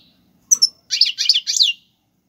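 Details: European goldfinch singing Algerian-style tiwawati galoubi and serfati song for teaching chicks: a sharp high whistled note, then three harsh, buzzy, chattering phrases in quick succession.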